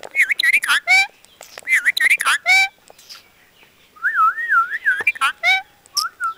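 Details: Parrot speaking Punjabi phrases in strained, bird-like voice syllables, the phrase repeated twice, followed by a long wavering whistle and more clipped speech-like notes.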